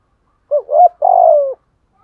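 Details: A decoy spotted dove coos once in the gù bài lối manner: low quick double note, short gap, then a sustained, slowly falling coo.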